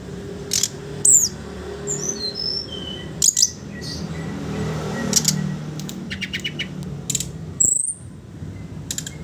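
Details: Sooty-headed bulbul singing ngeriwik ngeplong for training young birds: scattered high, thin slurred whistles and brief clicking rattles with gaps between, over a low background hum.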